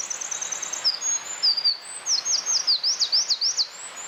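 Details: Wild Eurasian wren opening with a quick high twitter, then piercing whistles and a fast, strongly modulated trill of repeated sharp notes, loud and clear against quiet hiss.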